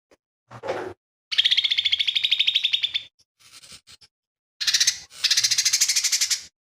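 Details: Lesser green leafbird, said to sing mimicked phrases of fighting sparrow, tengkek buto and cililin: a low rough note, then a long buzzy trill, soft scratchy notes, and a final loud run of rapid harsh pulses.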